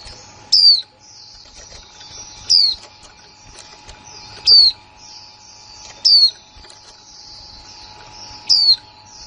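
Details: New female white-eye from 2020 calling in 'líu' style, five thin, high descending whistles roughly every two seconds, separated by quiet faint chatter, a steady low hum underneath.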